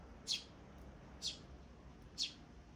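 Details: Three brief piercing chirps from sparrow nestlings, recorded 23 May 2024, separated by pauses of roughly a second, with low steady background rumble.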